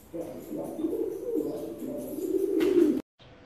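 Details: Filo pigeon producing a continuous series of low, rolling coos that swell in loudness before cutting off abruptly near the end.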